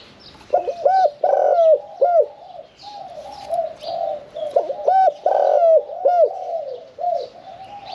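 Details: Middle-voiced caged spotted dove delivering 'khan yon 1 kuk' cooing: a stressed hooked coo, a long loud note and a falling tail note, given twice over a bed of quieter distant dove coos.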